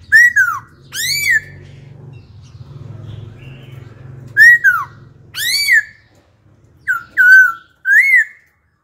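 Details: Old wild-caught laughingthrush, kept as a songbird, switching wild-style phrases to stimulate and train young birds: loud rich whistles, each rising then falling, in pairs with pauses, over a low steady hum.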